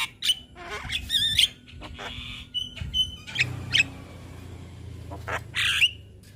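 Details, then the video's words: Young Javan myna singing busily while bobbing its head, a tutor recording for other mynas to copy: harsh scratchy bursts mixed with short rising whistles and wavering squeaks in irregular phrases, over a low steady hum. "Masteran Burung Jalak Kebo Muda Gacor Manggut - Manggut Jalak Kebo Lain Pasti Cepat Niru"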